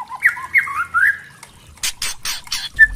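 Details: White-rumped shama lure song for spotted young birds: low wavering whistles and brief slurs, followed by a series of harsh, rasping bursts and one clear short whistle.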